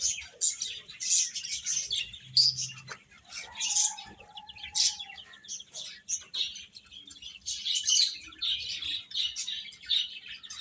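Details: Baby chickens chirping in irregular bursts of piercing high peeps, with a soft lower whistle-like tone near four seconds and quieter stretches in the middle.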